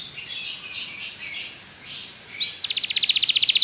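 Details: Belgian canary song used for training other canaries to sing: faint, scratchy high warbling at first, then from the middle a fast, even trill of sharp repeated notes that grows louder.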